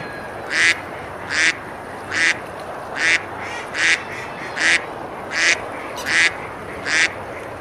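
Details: River ducks at Besalú in Girona, Spain, eating and splashing on a summer day, give nine rasping quacks at an even pace of roughly one every 0.8 seconds against a steady background hiss.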